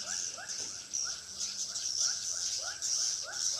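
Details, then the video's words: Swiftlet call used to lure swiftlets to a three-storey, 16.5 by 21 m bird house in Pekanbaru: quick rising chirps repeated several times a second, over a steady high hiss. "suara asli walet"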